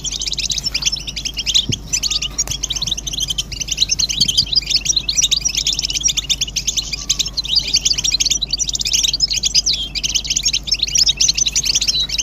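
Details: A long stretch of massed European goldfinch twittering, presented as the strongest stimulation to make males sing: unbroken high chattering trills and chirps, with a faint low tone and a couple of soft knocks.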